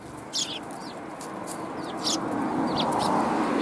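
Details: Several sparrows coming to be fed at a Tenmangu shrine on 1 January 2021; a few short, sharp, high chirps over steady low background hum.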